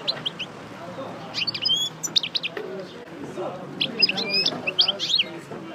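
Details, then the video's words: Parva goldfinch out of moult, coupleur type, running through its song: sparse high tinkling notes and short twitter bursts separated by gaps, over steady low background noise. "Chardonneret Parva Coupleur Sortie De Mue Repasse Le Chant"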